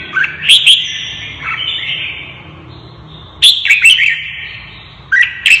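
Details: Red-whiskered bulbul goaded into song during a cage fighting contest; short clusters of sharp whistled notes separated by long quiet gaps, one burst at the start, another mid-clip and a brief phrase at the end.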